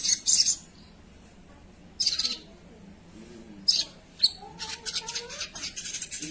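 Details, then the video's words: Actively singing sogon: loud harsh rasping bursts separated by pauses, then soft level whistled tones and a stretch of rapid scratchy chatter at the close. "suara burung sogon"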